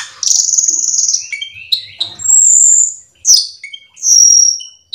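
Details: Gacor cucak keling song used as a lure for other birds: long high buzzy trills alternating with short whistled notes and a sharp upslurred call.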